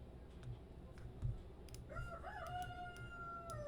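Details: At sunset a rooster crows once from about two seconds in, a drawn-out harmonic call rising, holding level and falling away, over low rumble; he crows repeatedly, reportedly calling his hens to the coop.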